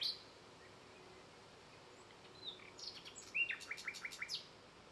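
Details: A red-backed shrike at Kahramankazan, Ankara, on 26 June 2021 gives a quick run of about six short, sharp chattering notes, high-pitched and evenly spaced, after a few faint chirps.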